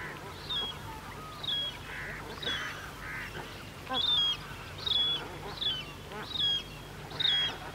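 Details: Siberian crane calls, adults and young together, with bar-headed geese in the background: faint, thin high whistled notes repeated about once a second over a steady low hum, with soft lower honking blobs between them.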